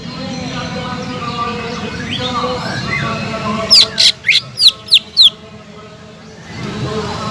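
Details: Greater green leafbird song used as a lure to stir a silent bird into singing: a quick burst of five loud, sharp whistled notes, each sliding downward, over a murky, humming background.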